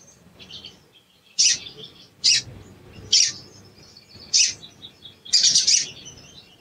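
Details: Sharp, high 'cuit cuit' calls of a sooty-headed bulbul, used as a lure to provoke a bird that has stopped singing. Five loud, clipped notes at irregular intervals, the last one doubled into a rapid burst, with soft twittering between them.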